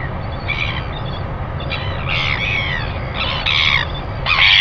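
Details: Northern royal albatross on a nest camera, early morning at 5:57 a.m. on 25 December 2019, giving greeting calls: short nasal, harmonic squawks in uneven bursts, rising toward the end, over steady low wind rumble.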